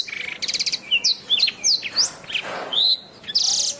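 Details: Canary singing a master song meant for training birds, opening with a quick rattling trill, then bright rising and falling whistled notes, a short scratchy burst, and a final buzzy, dense high phrase.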